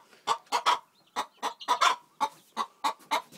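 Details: Faverolles cross hen while laying an egg: a rapid series of harsh, nasal clucks, about a dozen in under four seconds, some doubled, close and clear.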